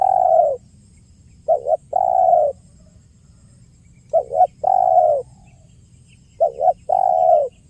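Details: Repeated 'kuk 1' style call of a spotted dove, played as a trapping lure: mellow phrases of a brief two-part note and a sustained coo, coming roughly every two and a half seconds with silent gaps between.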